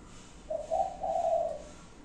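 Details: Single phrase of spotted dove five-note cooing, a smooth run of soft, low hooting notes lasting just over a second.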